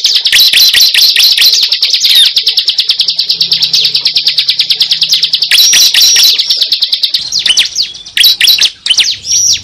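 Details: Cible lure call: a fast, insistent series of high, clipped chirps, over two per second, above a thin steady whistle, breaking near the end into varied squeaky notes.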